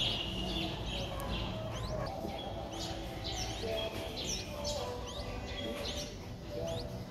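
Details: Four-day-old Streak-eared Bulbul nestling, Ubon Ratchathani, Thailand, 6 April 2023: thin high upslurred chirps come in loose runs, several per second at times, over a low steady background hum.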